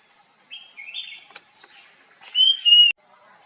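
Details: Puff-throated babbler, foraging bird: soft broken chattering notes, then one loud, clear whistle that slurs downward and holds steady before ending abruptly, over a quiet steady high hiss.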